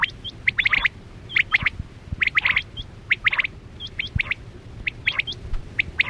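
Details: Quail, known locally as chora batera, calling as a lure sound used in hunting with nets; repeated sharp high chirps and short whistled notes in quick bursts, with faint low rumbling underneath.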